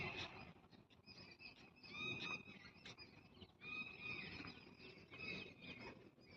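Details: An Indian peafowl (peacock) on a campus at Neemrana, Rajasthan, gives loud, nasal, wailing cries in short bursts every second or two, over a steady outdoor hum.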